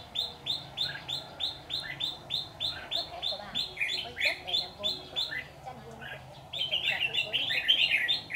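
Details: White-cheeked red-whiskered bulbul singing as a trap decoy to attract wild birds. Regular run of short bright notes, near three a second, that breaks into a busier jumbled phrase near the end. Low talk is heard behind it.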